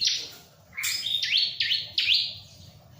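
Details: Bar-winged prinia (ciblek) singing energetically, not stressed by a nearby myna: a brief high note, then a series of three quick upward-swept chirps, with a steady faint hum.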